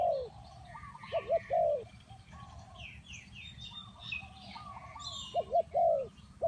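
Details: Tekukur, the spotted dove, cooing to lure wild birds: a paired phrase of throaty coos at the start and again near the end, distant doves and bright twittering small birds in between.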